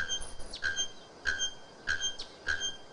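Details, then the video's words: Loud, shrill song of a bare-throated bellbird (araponga, or ferreira): hard, bell-like metallic notes hammered out evenly about every 0.6 seconds, each with ringing high overtones, recorded close with light background noise. "COMO ESTA MAJESTOSA ARAPONGA CANTA ALTO COMO E LINDA COMO CONHECIDA COMO FERREIRA AVE DO CANTO ALTO"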